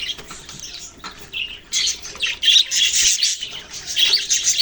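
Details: Budgerigars chirp together in a recording from November 6, 2023. Soft scattered twitters open the clip, then a loud, continuous wall of shrill warbling chirps takes over from about the second mark.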